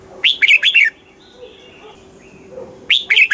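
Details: Red-whiskered bulbul, caged, Thailand, in the southern master song style, played to excite caged birds and teach young birds: a short burst of rich, rolling whistled notes sweeping up then tumbling down, repeated after a two-second pause, faint background chirps.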